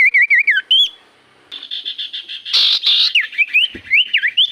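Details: Common iora singing as a lure to draw replies from other birds: quick looping whistled notes, a steady buzzy trill, harsh raspy bursts, then more rising and falling whistles.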